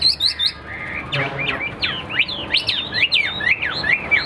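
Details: Caged Hwamei performing a fighting display, singing quick, varied whistled phrases with sharp up-and-down slurs in a lively, jumbled stream.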